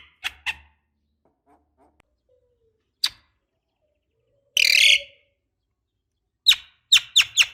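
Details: Javan myna (jalak kebo) recording, a female calling the male to provoke him into singing; short sharp chirps, a single note near three seconds, a harsh burst mid-way, then four quick chirps closing.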